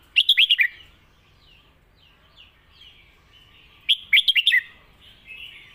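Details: Caged red-whiskered bulbul singing a Lak Wai style master song: two bright, quick phrases of about five sharp whistled notes, the second coming roughly four seconds after the first, with quiet background between.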